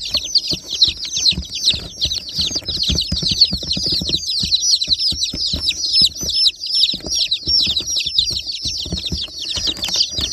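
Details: Newly hatched rainbow-coloured baby chicks in a large group, giving a dense, continuous chorus of shrill, downward-sliding peeps that overlap rapidly throughout, with faint soft knocks and rustling underneath.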